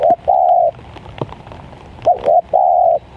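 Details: Spotted dove cooing during a rainy-season trapping session, heard as a short note followed by a long, level, hoarse coo around mid pitch, the phrase repeated about two seconds later, with faint clicks and background hiss between phrases.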